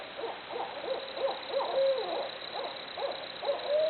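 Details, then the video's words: Barred owls making jungle noises: a quick, irregular run of short hoots about every third of a second, with a drawn-out smooth note near two seconds and a rising one at the close. "Barred Owls Hooting Away Making Jungle Noises."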